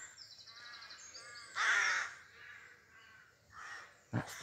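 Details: Rook calling at about 5am on 25 May in Pulford, Chester, Cheshire, in trees at the edge of an urban area. One harsh, hoarse caw rises out of a dawn chorus of thin high songbird notes.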